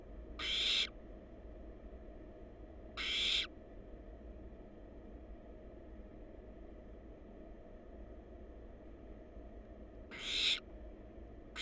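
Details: In a wild barn owl nest box, chicks utter three short, hoarse hissing screeches, two close together and one after a long seven-second gap, with a low electrical-sounding hum throughout.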